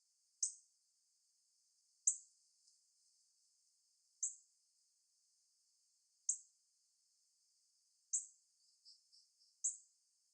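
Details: A female northern cardinal chirping in a tree, calling for a mate, gives sharp, high metallic chip calls spaced about two seconds apart.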